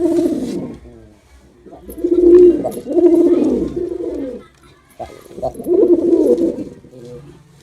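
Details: Male pigeon display: throaty, gurgling coos in longer phrases, one stretching over two seconds, then a pause and another rolling burst.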